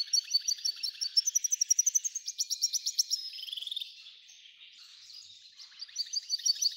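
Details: F1 hybrid goldfinch singing a lot: a run of high, evenly spaced chirps speeding into a rapid rattling trill, then a softer warbled passage and renewed bright chirping at the end.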